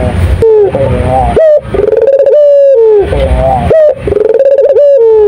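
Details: Barbary dove (puter) singing vigorously: loud, tonal cooing phrases that slide down then level out, repeated in two similar bouts with brief breaks and a few clicking, rustling sounds between.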